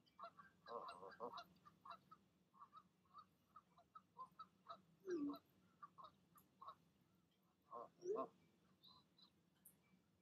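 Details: A mother goose in the evening talking her goslings down from the nest as they prepare to leap: a steady string of short, low, nasal grunts about every second, with a few louder honks rising in pitch.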